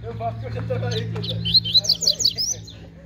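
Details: A competing Double-collared seedeater at a bird gathering delivers a quick run of about six sharp, high chipping notes in the second half, with a steady low hum and faint talk behind.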